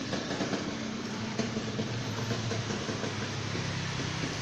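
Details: Steady rumbling train noise with clattering wheels, and no animal voice heard.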